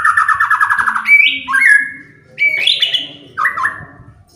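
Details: Singing white-rumped shama, used to stir other birds into song: a rapid buzzy rattle followed by three separate rising whistled phrases spaced about a second apart.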